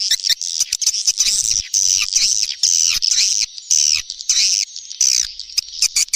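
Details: Playback lure for swiftlets during the rainy season: shrill, wavering chirps come in short separated bursts, some with thin, piercing high notes.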